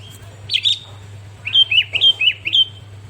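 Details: Sooty-headed bulbul (kutilang) after song tutoring: a short whistled phrase, a pause, then a quick string of about six bouncing, slurred whistles; low background hum throughout.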